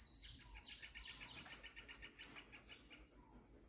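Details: Saffron finch just out of moult in fiery form: bright, high descending whistled strokes, then a rapid pulsed series of lower notes and two piercing chips, ending on a sustained high note.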